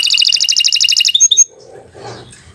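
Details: Canary song used as a master recording for training young birds: a fast rapid trill of bright notes for about a second, then a few sharp whistled notes and faint low background noise.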